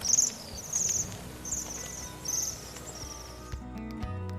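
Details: Bohemian waxwing (Bombycilla garrulus) giving very high, thin, buzzy trills, each under half a second, repeated about every 0.7 seconds, then fading out over a faint low hum.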